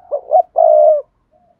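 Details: Spotted dove cooing to prompt other doves to call, two quick rising notes followed by one drawn-out level coo, then a faint soft whisper of sound; no other noises.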